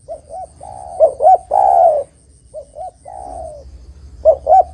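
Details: Spotted dove (terkukur) in full song for luring birds: repeated phrases of paired short coos leading into a long, slightly rasping descending note, about three phrases, low and mellow, with a thin steady whine overhead.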